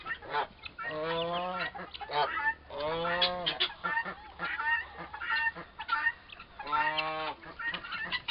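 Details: Two young turkey toms, about four months old, fighting. Loud nasal, harmonic honking squawks come in bursts of about a second, roughly every two seconds, with noisy chatter between them.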